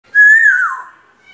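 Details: African grey parrot giving a single loud, clear whistle that holds steady, then slides downward and fades, heard indoors.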